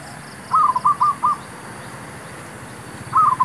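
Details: Zebra dove used to lure wild doves during trapping: a quick run of four bubbling, clipped coo notes, a pause of about two seconds, then the start of another run. Steady low hum behind.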